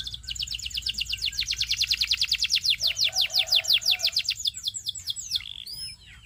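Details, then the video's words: Canary singing a training song: a rapid rolling trill of repeated notes that slows into separate downward-sweeping whistles, ending with a few slurred chirps. "Make Your Canary Sing All Day Long!"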